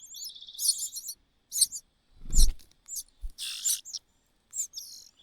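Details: Common cuckoo chick, thin and dry, bullied by a tiny host bird and denied food: bursts of high, thin, wavering chirps and trills come in quick clusters, broken by dull thumps and rustling.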